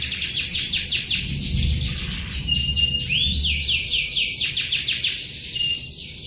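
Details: Canary singing a long rolling song, described as in full voice: continuous fast trills of rapid high notes, with sweeping whistled slides and a brief steady tone mid-phrase, running unbroken for about six seconds over faint low background rumble.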